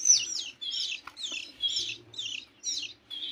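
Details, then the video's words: Begging from 15-day-old canary chicks, a series of six or seven high, slurred squeaky chirps roughly every half second, some with a brief click between, over a faint low hum. "meloloh anakan kenari umur 15 hari"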